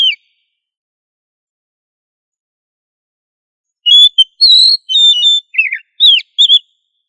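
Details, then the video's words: Oriental magpie-robin (kacer) song in 'gacor ngobra' style, meant to train other magpie-robins to sing loudly: a long silence, then a varied phrase of high ringing whistles, a slurred downward trill and sharp rising notes. "Suara Burung kacer Gacor Ngobra untuk Melatih Kacer agar Plong Keras"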